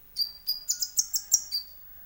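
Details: Konin sunbird song, played to provoke other birds into singing. High, sharp chirps come in a quick series of about seven notes, each clear and piercing, ending in a thin drawn-out whistle.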